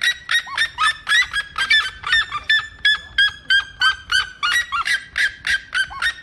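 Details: Red-legged seriema giving a steady stream of shrill, overtone-laden yelps, about three a second. Some notes carry a short downward slur, and the volume stays strong and even throughout.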